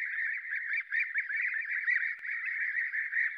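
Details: A European bee-eater flock at Děvínská Kobyla on 20 July 2019 gives a steady chorus of rolling, liquid 'prruip' calls that overlap continuously at a mid-high pitch. No other sounds stand out.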